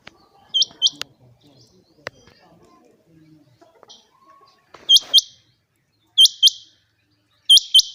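A female quail gives sharp, high, doubled chirps in pairs, repeated every second or so, over faint background rustling.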